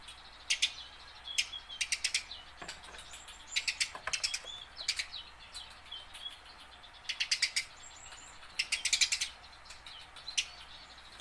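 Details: Tame house sparrow practising its song, kept to coax captured wild sparrows into voice; clusters of rapid, bright chirps every second or two, mixed with short high whistled slurs.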